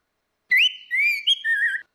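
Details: Orange-headed thrush used as a lure, female against male in ngeplong style: clear whistled phrases with an upward slur, a long level whistle, then a lower wavering note, rich and tonal, nothing else audible.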